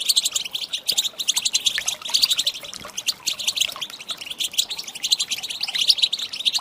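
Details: Female European goldfinch call to set males singing: loud, busy, high-pitched twittering and tinkling chirps, nearly unbroken, with short dips between flurries.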